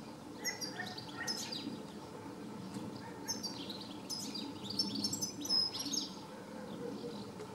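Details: Singing goldfinch, Croatia, at Planina Gornja on 4 July 2014: sharp, high chirps and short twittered phrases come in loose clusters, one thin whistled note standing out, over low background rumble.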